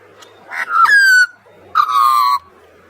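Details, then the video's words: Australian magpie carolling by the sea: two loud, rich, flute-like notes around a steady mid pitch, the first sliding gently downward, the second held level with harmonic overtones, separated by a brief pause. "Beautiful Magpie carolling by the sea"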